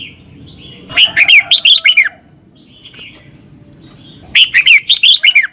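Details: Thai red-whiskered bulbul, southern master song in the double style, used to teach young birds. Two clear phrases about three seconds apart, each a burst of five or six lively whistled notes over a faint low hum.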